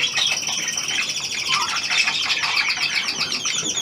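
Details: Newly acquired hand-tame Australian pied budgerigar indoors; rapid, steady chattering warble of buzzy notes and repeated quick upslurred chirps.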